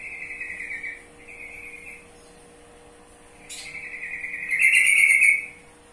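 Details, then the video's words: Sooty-headed bulbul, called trucukan, with soft drawn-out whistles at first, then a rising, rambling whistled passage that swells into a loud, warbling flourish before stopping, a faint hum in the background. "Mengenal Karakter Suara Burung Trucukan"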